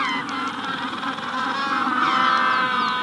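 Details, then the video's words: Braying calls of Magellanic penguins in a colony during hatching time, rough harmonic notes pulsing in rapid overlapping series, with a Rufous-collared Sparrow's high falling whistles audible behind them. "Magellanic Penguin / Calls MD In Colony At Hatching Stage"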